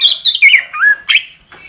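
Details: Orange-headed thrush in a master song recording: a rapid string of bright, downslurred whistles sliding from high to lower pitch, ending with a sharp, buzzy burst.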